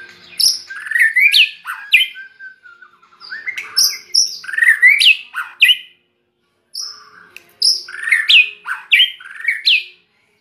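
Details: White-rumped shama imitating red-whiskered bulbuls it was kept beside: two bursts of lively, varied whistles and chirps, several seconds each, parted by a brief silence.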